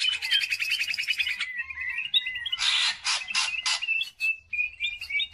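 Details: Greater green leafbird singing a lure song for training other birds, mixing a rapid rattling trill, harsh scratchy bursts and clear whistled notes in a restless, varied stream.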